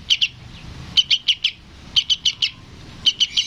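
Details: Young yellow-vented bulbul (trucukan) begging and calling for its parent, a sound used to lure adults: bright high chirps in runs of two to four, each run about a second apart, over quiet low rumble.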